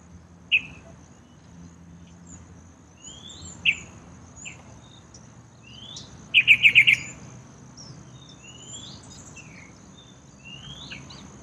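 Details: Yellow-vented bulbul, a resident town bird, bathing in a small courtyard pool. Scattered single chirps lead to a rapid run of about five bright notes, with other birds' slurred whistles and a constant high insect drone behind.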